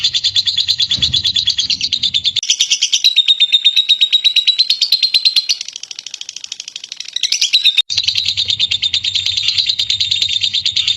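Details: Lovebird giving a long, clear ngekek chattering song used to prompt other lovebirds to sing: a fast, high buzzy trill of rapid notes. It runs nearly unbroken, with a smoother whistled stretch in the middle and a faint low hum beneath.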